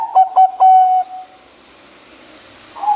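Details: Champion Bangkok zebra dove singing: three quick clipped coos lead into one longer, trailing coo, followed by quiet and the start of another note.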